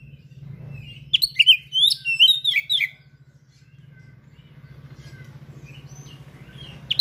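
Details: Oriental magpie-robin (kacer) in active song with rare mimicked material: a quick burst of sharp, varied whistles and chirps lasting about two seconds, over a steady low mechanical hum, then a single note near the end.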